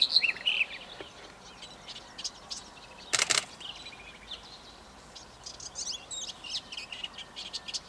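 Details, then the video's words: Black-headed bunting (Emberiza melanocephala) at the Eastriver, Skala Kalloni, Lesbos, Greece, in May 2010, gives short high chirping notes and brief jangling phrases, with a sharp rustling burst midway over soft hiss. "Zwartkopgors - Black Headed Bunting"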